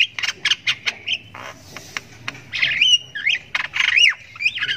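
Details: Chick of the Javan myna chirping persistently as it learns to call; quick clicky chirps at first, then drawn-out rasping squawks that bend up and down.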